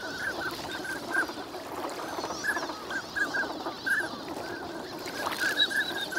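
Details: Morning chorus of wintering ducks at Lake Inawashiro, Nagahama, under fair skies; short clipped calls come in irregular groups from many birds, with a faint higher whistle and steady background hiss.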